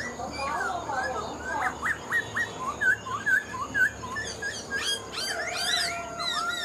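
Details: Caged Black-throated laughingthrush, a mature bird taken from the wild and not fully tamed, delivers clear whistled notes repeated about twice a second, some sharply upswept, followed by higher chirping flourishes.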